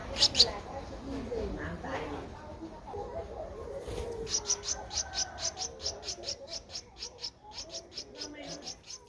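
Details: A Streak-eared Bulbul chick aged 12 days, Ubon Ratchathani, Thailand, 14 April 2023, utters a steady train of short, high, shrill squeaks about three per second after a few scattered notes and faint voices.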